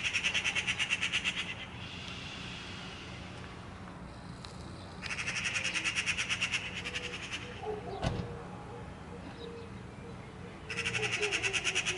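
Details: Eurasian magpie giving harsh, rapid rattling chatter in three bursts, each lasting one to two and a half seconds, separated by quieter stretches with a low steady hum in the background.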